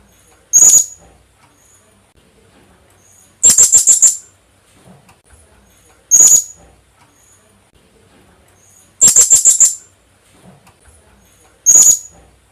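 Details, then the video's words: Lure call of the Philippine hanging parrot, locally kulasisi: single piercing high squeaks alternate with quick five-note chattering bursts, a call roughly every three seconds, background otherwise silent. "Kulasisi/Philippine hanging parrot sound"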